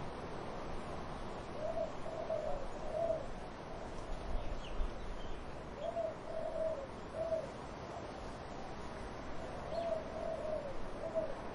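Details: Dove cooing in repeated phrases of three low, hollow notes, each phrase about four seconds apart, set against gusty wind in trees.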